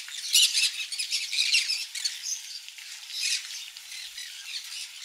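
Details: A flock of captive conures eating mealworm egg food: strident squawking bursts, loudest near the start, over continuous busy chatter.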